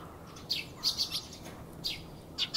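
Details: Eurasian tree sparrow (Passer montanus) calling with short, bright chirps, single or in quick pairs, scattered irregularly over a few seconds against a faint background hush.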